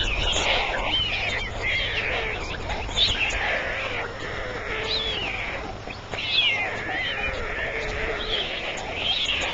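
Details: White storks at a nest in Ustroń, 17 July 2009, 21:18, evening feeding, give a continuous stream of thin, wavering, mewing calls that rise and fall and overlap, with faint background rustling.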